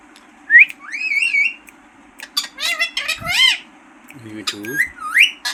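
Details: Talking green parrot uttering rising whistles and harmonic, speech-like squawks in short bursts separated by pauses, over a steady low background hum.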